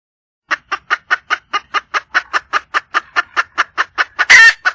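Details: Wild red junglefowl hen seeking a mate: a long, steady train of about twenty clipped clucks, roughly five a second, ending in a loud, coarse squawk.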